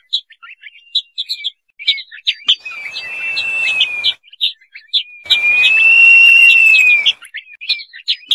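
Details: Crested partridge (roul-roul), a small lowland-rainforest partridge, giving long, steady, slightly rising whistles of about two seconds, set among rapid high chirps from other small birds, with a faint hiss underneath.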